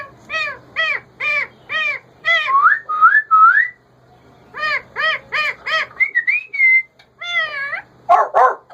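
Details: Pet male ringneck parakeet talking in bursts of clear, harmonic, speech-like syllables repeated in short phrases, broken by rising whistled slurs, a pause in the middle, and a harsh burst at the close.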